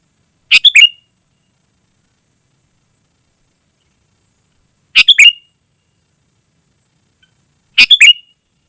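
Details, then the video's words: Chattering sooty-headed bulbul, played to call wild birds and as a tutor for caged ones: three short, bright, bubbly phrases, each a quick run of notes, separated by long silences of three to four seconds. "Suara Burung KUTILANG GACOR Sangat Rapat"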